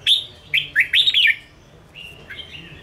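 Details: Ché song of a red-whiskered bulbul for provoking and training caged birds; a fast burst of bright, tumbling whistles followed by softer, thinner trailing notes.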